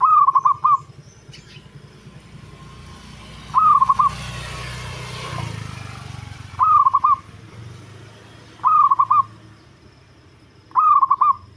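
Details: Local zebra dove with a deep voice, kept for luring birds, uttering short rolling coos five times at irregular two-to-three-second gaps over a steady low rumble, with a passing vehicle-like roar in the middle.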